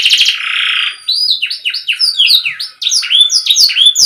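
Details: Young or stalled canaries are meant to learn from this soft, non-dominant canary song: a brief buzzy roll opens it, followed by a string of bright sliding whistles at varied pitches.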